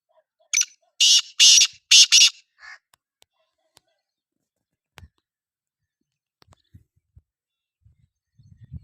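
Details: Black francolin calling: a phrase of five harsh, buzzy, grating notes in quick succession, the middle three loudest, then quiet with a few faint low knocks and rustles.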